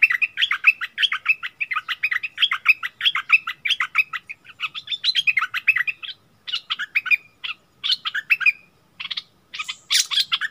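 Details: Bulbul in a heated singing contest with a wild bird, both refusing to yield, 27 March 2021: continuous busy chattering phrases of rapid notes, breaking into shorter spaced bursts toward the end.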